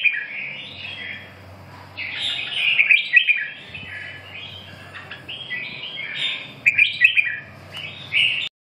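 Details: Red-whiskered bulbul singing in two bouts of cheerful, warbling whistles, each a cluster of quick up-and-down notes, separated by short silences, with a soft low hum.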